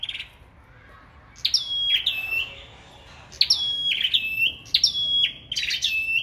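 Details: Competitive singing from a sâu đầu đỏ, a short steady whistle and then a run of repeated phrases, each a quick high flourish stepping down into a sustained clear note, delivered almost back to back.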